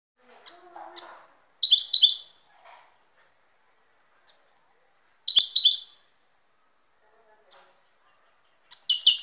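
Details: European goldfinch singing: three short bursts of bright, rapidly repeated twittering notes, each lasting about half a second and spaced a few seconds apart, with isolated high chips between them and a faint low murmur early on.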